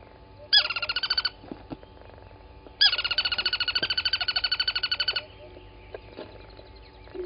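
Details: Crested barbet at Gowrie dam, Djuma Game Reserve, Sabi Sand Wildtuin, South Africa, 07:34 on 23 August 2020, giving two rapid rattling trills, a short one of under a second and a longer one of about two and a half seconds, with quiet gaps.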